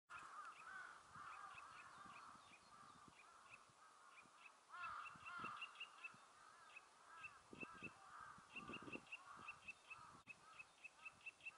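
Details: Eurasian nuthatch singing while inspecting a tree nest hole in Meiji Park, Nemuro, on 3 April 2020: quick series of short, high piping notes, several per second, over a steady chorus of other birds and a few lower calls.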